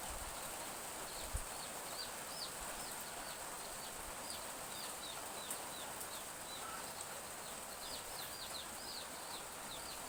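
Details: Young chickens peep behind a village house at morning in gentle drizzle; many rapid, high, slurred chirps, sometimes in quick pairs, run throughout against a continuous rain hiss, with one low knock.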